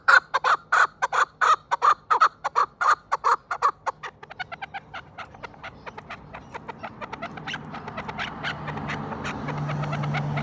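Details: Chukar partridge in 2026 giving a steady series of loud chuk calls for four seconds, then softer, faster notes fading into rising background rumble and noise.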